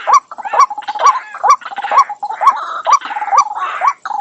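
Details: White-breasted waterhen, edited calling meant to attract wild birds: continuous run of repeated kwak clucks layered over a raspy, croaking background chorus, the notes coming about twice each second.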